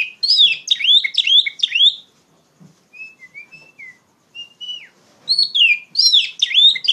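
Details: Loud Oriental magpie-robin trigger song meant for tutoring untrained young magpie-robins. Rapid chains of bright, sweeping whistles open and close the passage, with a quieter stretch of thin, level whistled notes in between.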